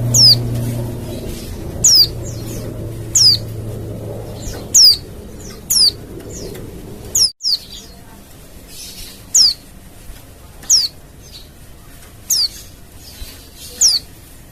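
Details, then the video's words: Repeated high, thin, down-slurred notes from a wild Oriental white-eye, used to make other white-eyes answer. About a dozen calls arrive at uneven one-to-two-second gaps, with a low droning hum beneath the first half and a short silent gap midway. "TERAPI PLECI LIAR‼️LANGSUNG NYAUT"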